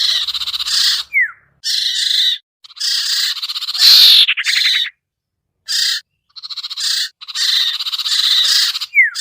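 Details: Iora lure sound, locally sirtu or sertu, to coax reluctant birds down: grating buzzy phrases separated by gaps, a rapid stuttering trill, and falling whistles at the start and end.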